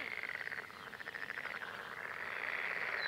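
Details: Red-necked Grebe, one of a mated pair watched in spring. A wavering squeal breaks into a rapid pulsed rattle, then rises into a long, loud, piercing wail.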